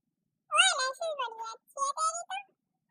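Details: Pet Indian ringneck parakeet, one of two kept birds, talking: a loud, high, nasal, word-like phrase of several clipped syllables with shifting pitch, delivered in quick bursts over about two seconds, then quiet.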